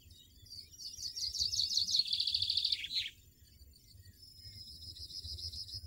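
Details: European goldfinch in nature giving a rapid tinkling twitter that runs into a dense buzzy trill, dropping slightly at the end, followed by a thin sustained high note from another bird and low background hum.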